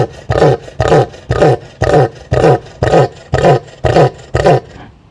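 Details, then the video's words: An angry cassowary gives a steady series of deep, harsh roaring pulses, about two each second, ten in a row, with nothing else heard. "The Angry Sound of a Cassowary Bird"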